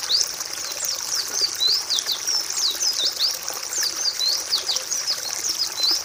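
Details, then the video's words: White-eye (pleci) singing for other birds to copy: bright, rapid high-pitched warble of short slurred whistles, continuous over the whole stretch. "Masteran pleci malas bunyi"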